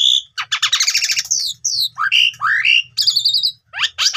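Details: Fast varied Asian pied starling song played to stir quiet young starlings into song: crackling buzzy trills, upward-sweeping slurred whistles and sharp high notes tumbling together.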